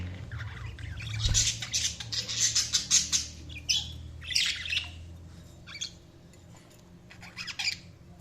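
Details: Budgerigar chirping in short high, raspy bursts with gaps between them, the first long and dense, the later ones briefer and spaced out, over a low background hum.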